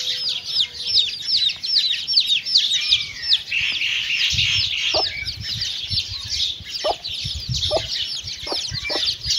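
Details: Mother hen feeding with chicks: constant thin, high peeping from the chicks, joined in the second half by the hen's short low clucks spaced about a second apart, with some low rustling.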